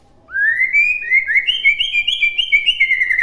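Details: A White-rumped shama delivers one long clear whistled phrase for birds to copy, rising at the start and then holding high with quick wavering ripples.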